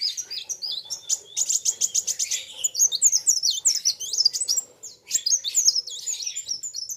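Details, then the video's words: Two sunbirds (kolibri wulung) in a singing duel, each bird singing hard: dense high chirps and squeaky arched notes overlap continuously, with a brief rapid buzzy rattle near the start and a faint low hum beneath. "BURUNG KOLIBRI WULUNG NARUNG GACORR KETEMU LAWAN SAMA" GACORR..RAMAII"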